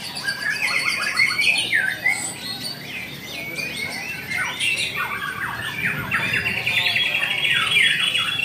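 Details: White-rumped shama delivering fast, rich song: sliding whistles that rise and fall, buzzy trills and sharp chips tumbling together without pause, amid a dense chorus of other birds and faint low rumble.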